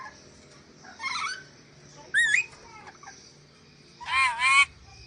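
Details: Sulawesi ornate lorikeet on a masteran training recording: a rough chattering burst, a sharp rising squeal, then a loud doubled wavering screech near the end.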